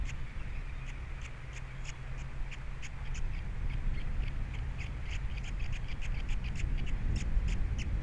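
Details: Male osprey at the Captiva nest with three babies, February 2022, alone after his mate leaves; short piping chirps repeated about three times a second, irregular spacing, continuous low wind.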